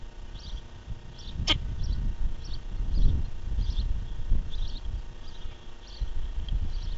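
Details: Osprey chick sneezing in its nest on Long Island, 26 July 2016: one abrupt, sharp, explosive burst. Faint high chirps recur about every half second to second, over constant low rumbling wind noise.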